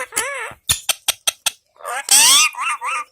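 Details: Domestic parrot giving harsh, wavering calls that bend up and down, then a run of sharp clicking notes and loud raspy squawks, indoors.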